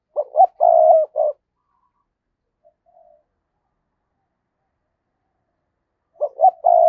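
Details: Decoy spotted dove giving lure calls in 2022. Two cooing phrases about six seconds apart, each with short clipped notes leading into a long rolling coo. A faint soft note sounds in the quiet gap.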